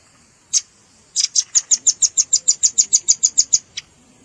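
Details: Velvet-fronted nuthatch, combined with juvenile calls for luring birds: one sharp chip, then a steady rapid trill of about fifteen bright, high ticking notes, ending with a lone chip.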